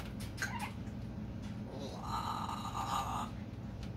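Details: Male African grey parrot, making these sounds when he wants to be picked up, gives a short nasal squeak, then a longer, drawn-out whine, like a cat's meow, over a steady low hum.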